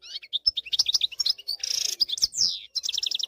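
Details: Song of a wild European goldfinch used to train young birds to sing: quick varied twittering notes, a burst of buzzy rasping, a downslurred whistle, then a fast repeated tinkling series.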